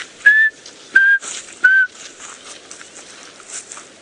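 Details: At sunrise on January 5, 2018, in the Sabi Sand bush near Kruger, South Africa, after rain, a chinspot batis whistles three clear notes stepping lower, 'three blind mice', over two seconds, other birds chattering faintly behind.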